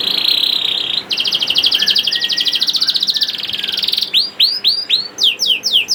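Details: Juvenile canary singing to prompt reluctant canaries: a buzzy roll shifting into a long fast rattling trill for three seconds, then loud curved whistled sweeps spaced about half a second apart.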